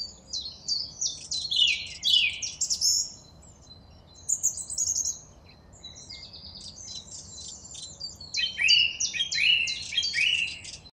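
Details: Song thrush song in bursts of dense, high, chattering and twittering phrases, separated by short pauses, with several phrases repeated before the bird changes to new motifs.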